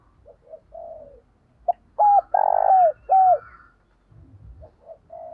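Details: Spotted dove cooing as a lure for wild doves: one loud phrase of short hooked coos framing a long buzzy descending coo, with soft bird chirps before and after.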